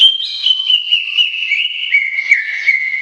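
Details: Greater green leafbird (cucak ijo) in long, continuous song: a sustained, slightly wavering high whistle that slowly slides lower, with faint overtones and fluttering texture throughout.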